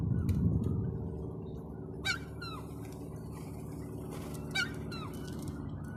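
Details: Gull making odd noises that attract pigeons. A loud thump opens, then two strong, harsh calls with falling tails come about two and a half seconds apart, with softer answering notes, over constant low hum.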